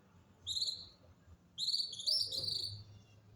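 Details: Songbird singing in winter: thin, high whistled phrases, a short one first and then a longer run of sliding notes after a pause, over a low background rumble.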